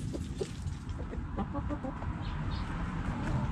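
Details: While chickens dig in the dirt, soft repeated clucks and murmurs come in a loose series, with two higher squeaky notes late on, over steady low scratching and rustling.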